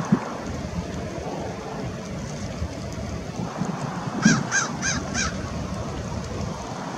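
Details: American oystercatchers at Fort Monroe, Virginia, on 15 March 2019; a run of four loud, sharp piping notes comes near the end over a steady roar of wind and surf.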